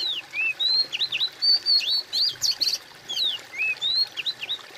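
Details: Oriental magpie-robin singing a varied run of clear, sliding whistled notes, some rising, some falling and some in quick twisting pairs, with a soft trickle of water in the background.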